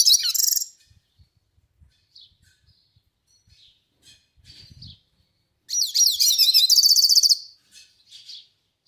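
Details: Yellow-faced siskin giving a melodious song: a bright opening twitter, scattered soft high chirps, then a loud, rapid burst of buzzy, trilled high notes lasting about a second and a half, trailing into a few short chirps.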